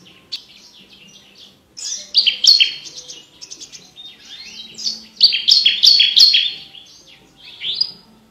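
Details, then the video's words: Lark (branjangan) singing a rich, rapid, clear medley of bright trills, buzzy chirps and clear whistles in bursts of several seconds, high-pitched and varied; a training recording for contest birds. "BURUNG BRANJANGAN GACOR FULL ISIAN VOKAL JERNIH DAN KRISTAL"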